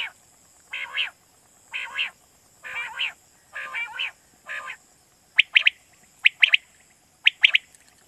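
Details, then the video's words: Quail calling as a night-hunting lure in Pakistan: five harsh, nasal, wheezing notes about a second apart, then four sharp whistled triplets, 'pwit pwit-pwit', repeated roughly every second over a constant high hiss. "Batair Kirak batair ki Awaz For Night Hunting"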